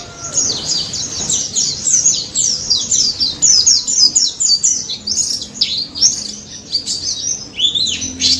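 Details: Energetic wild daput white-eye song used as a lure for non-singing white-eyes: quick chains of high, sharply dropping chirps roughly twice each second, bright and continuous, ending with a lower looping note.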